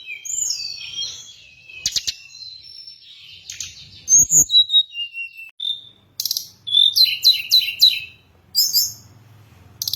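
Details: Hill blue flycatcher song used to attract and train birds. Varied high whistled phrases alternate with loud, rapid clicking bursts and brief buzzy trills over about ten seconds.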